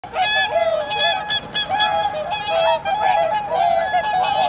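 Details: Whooper swans in Aomori City, Japan, in 2021, a flock giving loud, nasal, trumpeting honks in quick overlapping bursts, with many birds calling at once throughout.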